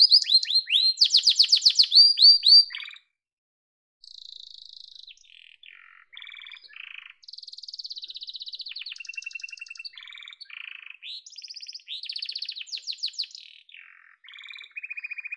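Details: Yellow canary opens with a loud rapid series of high curved notes, pauses for about a second, then continues more softly with assorted buzzy trills and rolls at shifting pitches.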